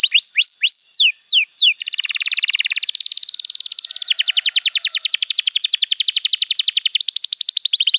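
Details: Canary master song meant to teach juvenile canaries: a few falling whistled slurs, then a long fast buzzy trill changing pitch in several steady rolling sections.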